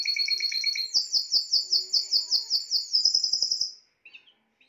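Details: Spanish timbrado canary singing: a fast rolling trill of rapid repeated notes, about two and a half per second, that steps up in pitch midway, then breaks off into a couple of short chirps.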